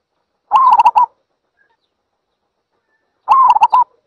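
Zebra Dove giving two short bursts of soft, staccato cooing notes, each about half a second long, with a quiet pause between them.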